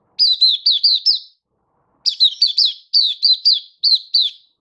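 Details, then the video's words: Hobby-kept oriental white-eye recorded 24 February 2023: two clean bursts of high, sweet, down-slurred chirps, each note with a sharp upward flick, the second burst longer, with a near-silent background. "Mata Puteh Happy Buka Sing"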